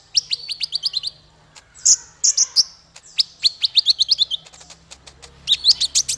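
A male konin sings quick runs of sharp, high chirps, about six notes a second, in short bursts with brief pauses between them.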